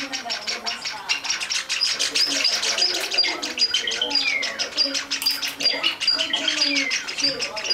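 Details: Java sparrow chicks aged 19 and 21 days begging at three in the afternoon while a female is feeding them. Dense, rapid, overlapping high chirps and thin whistles run continuously, with some lower tonal notes mixed in.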